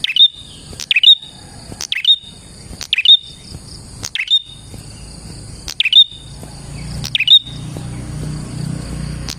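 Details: Prinia song meant to lure prinias: a sharp click and short whistled note repeated about every second, seven or eight times, over a persistent high whine, with low rumbling noise near the end.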